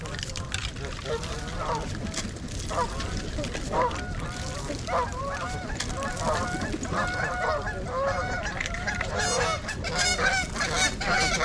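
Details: Trumpeter swans, a flock of 42 (26 adults, 16 juveniles), on January 8 in winter at Gallup Park, Ann Arbor, Michigan, give a chorus of overlapping honking, horn-like calls at an uneven pace, with water and background noise.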